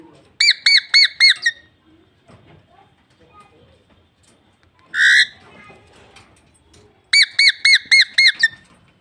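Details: Pet talking parrot: a burst of five quick, ringing, rising chirps, a pause, a single harsh squawk, then another burst of five matching chirps; the background is otherwise quiet.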